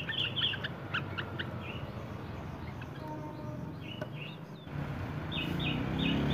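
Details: A yellow-vented bulbul gives quick, bubbly chirps in short bursts, rising into long rapid rolling phrases over a steady low rumble; the recording is used as a lure to prompt other bulbuls to sing.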